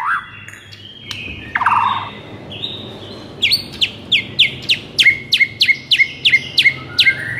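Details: White-rumped shama song used as a lure for a weak bird: varied whistles and a harsh note, then a steady series of sharp clipped chirps about three per second.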